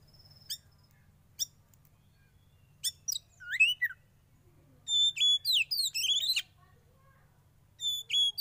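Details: Sparse sharp chips from a captive young wild-caught oriental magpie-robin during sauna therapy lead into a sustained run of steady high whistles and tumbling twittered notes, ending with a few more whistled tones.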